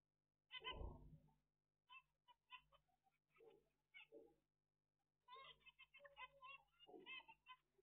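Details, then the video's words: Zebra finches recorded on 17 April 2022: bursts of short nasal, harmonic chirps, clustered and rapidly repeated, with brief pauses between runs and a low thump near the start. "طيور الزيبرا"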